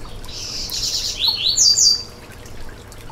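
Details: Yellow-bellied seedeater song for firing up another seedeater: a buzzy, rattling high phrase that breaks into quick sharp whistled sweeps, all within under two seconds, then background hiss alone.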